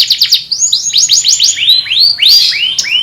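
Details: A canary, praised as a master, calls friends and fights: fast repeated downslurred notes give way to slower arching upswept whistles, each rising then falling, over a faint low hum.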